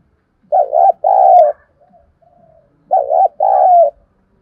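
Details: Lure spotted dove calling to stimulate wild birds: two identical low two-part coo phrases about two and a half seconds apart, with faint soft notes in the gap between them.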